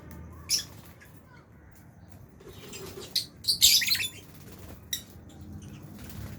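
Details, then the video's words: Albino and Fisher's lovebirds in an aviary flock while eating, giving scattered sharp, high, buzzy chirps, with a dense cluster of harsh notes near the middle and a steady low hum beneath. "Lovebirds Chirping Sounds"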